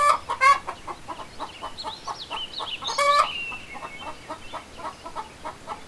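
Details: Rooster crowing while chickens and rabbits forage for food in the grass; a drawn-out, wavering crow rises and falls midway, over quick, steady clucking that repeats throughout.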